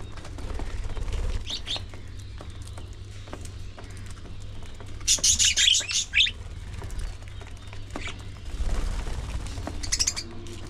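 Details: Budgerigars at early morning feeding time, with bright, scratchy chirps scattered over a low rumble, then a loud burst of dense chattering squawks lasting about a second and a half, and a few more sharp chirps near the end.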